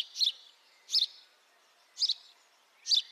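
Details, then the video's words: Chirping house sparrow recorded on a high-definition mic, four clipped, bright chirps spaced about one second apart, each with a slight double note, against quiet background noise. "House sparrow call, beautiful house sparrow sound [High definition sparrow chirping]"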